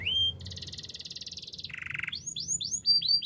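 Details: Singing canary: a brief clear whistle, a long dense buzzy trill that drops to a lower buzzing roll, then a series of quick upward-sweeping whistled notes.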